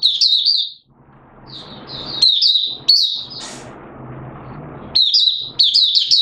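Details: Singapore, 29 March 2023, warm humid weather with sudden showers: a Malaysian Oriental white-eye sings buka song. High, fast twittered phrases start and end the stretch, with softer chirps in between over a low background rumble.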